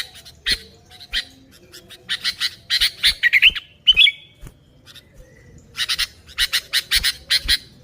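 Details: Sooty-headed bulbul call used to attract other bulbuls, with rapid rasping chatter in clusters and a brief bubbly warbled phrase in the middle, then more quick harsh notes.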